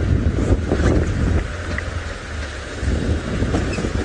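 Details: Low rumbling wind and vehicle engine noise roll steadily through the recording from a sunset safari drive, with no animal voice standing out.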